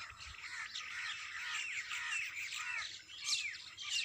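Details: Many birds singing together early in the morning, a dense overlapping chorus of quick chirps, trills and sweeping whistled notes, with a few louder rising calls standing out near the end.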